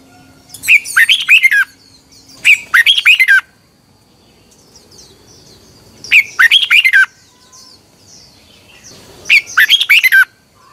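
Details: Morning song of a red-whiskered bulbul from 2021, meant as a model for training birds: four quick rattling phrases of rich, slurred whistles, each roughly a second long, spaced two to three seconds apart over a low hum.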